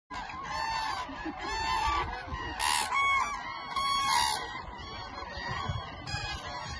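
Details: Eurasian cranes, thousands gathered on spring migration stopover at Lake Hornborga (Hornborgasjön), Västergötland, Sweden; loud trumpeting, harmonic-rich bugling calls burst out roughly once a second over a steady murmur of the distant flock.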